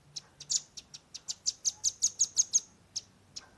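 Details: Young velvet-fronted nuthatch delivering dense 'nembak rapat' shooting song, captured with a Redmi 10: scattered high ticks build into a quick, accelerating run of about ten piercing notes, followed by two isolated chips.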